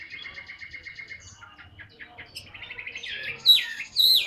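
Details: Large, tame caged Chinese hwamei, a heavy singer, starts with an even run of rapid repeated notes. It then shifts to looser chatter before bursting into two loud, high, swooping whistles.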